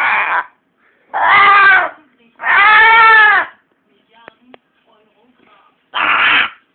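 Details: Blue-and-yellow macaw vocalizing indoors, filmed on a phone: four loud, harsh, drawn-out squawks, each half a second to a second long, separated by pauses with faint clicks in the gaps.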